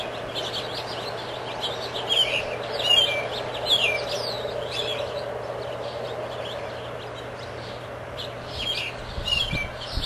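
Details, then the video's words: An American robin sings short, clear, warbled phrases that rise and fall, densest in the first few seconds, over a steady low hum of background noise. "robin americano"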